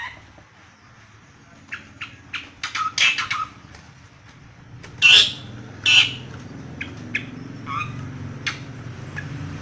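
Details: Asian pied starling stirred up by a hand among Yogyakarta bird keepers, singing in bursts: scratchy chatter and squawks interspersed with brief whistled notes, then two loud harsh calls midway, with steady low background hum.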